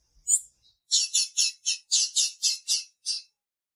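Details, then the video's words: Female blue-black grassquit calling to excite the male: a high squeaky note, then a brisk run of about nine buzzy chirps, four or so each second. "FÊMEA DE TIZIU PIANDO E MACHEANDO PARA DEIXAR SEU TIZIU LOUCO"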